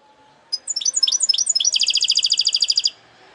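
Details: Goldfinch hybrid mule song: four or five quick falling chirped notes lead into a rapid, regular ringing trill of about twenty pulses, loud and clear over a quiet room background.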